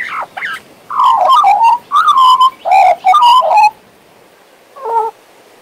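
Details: A pet male Western Australian magpie produces dense fluting warbles: quick descending and wavering whistles in four or five tight bursts, followed by silence and one faint stacked note.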